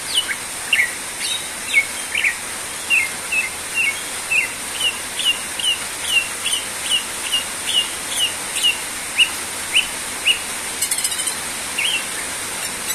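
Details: Greater green leafbird singing energetically, giving a long steady series of short, bright downslurred chirps about twice per second, with a brief rasping burst near the end and steady hiss behind.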